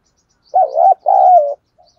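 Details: Decoy spotted dove cooing to lure wild doves: a single loud, throaty double coo, the first part wavering and the second long and steady.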